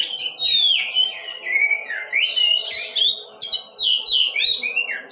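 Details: Oriental magpie-robin singing in an energetic, chattering style: a continuous stream of varied whistled notes that swoop up and down, some slurred and some clipped, with hardly a pause.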